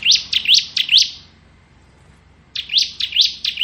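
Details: Bar-winged prinia in the "ngebren" singing style, kept as a tutor voice for magpie-robins: two bursts of sharp, rising, high-pitched notes about a quarter second apart, separated by over a second of quiet, with a low background hum.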